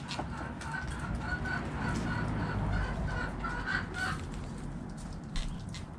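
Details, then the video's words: Backyard hens clucking while eating in the coop: a run of short, evenly spaced clucks, roughly three a second, against a constant low hum and scattered clatter. "Hens Clucking Roosters Crowing"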